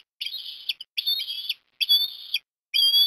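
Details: Port Lincoln, Australia, breakfast feeding of fish to an osprey chick on 17 December 2021; clear whistled calls in four quick bursts, the last rising and loud.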